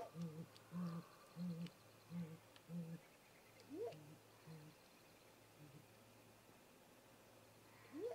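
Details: Deep, steady hoots open the recording of a great grey owl pair at their snag-tree nest in late afternoon, 18:58 MDT. They fade after three seconds, with a few rising whoops and soft background hiss.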